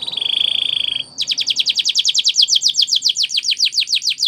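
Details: Spanish Timbrado canary training song: a buzzy steady trill for about a second, then a long series of rapid descending notes repeated several times per second.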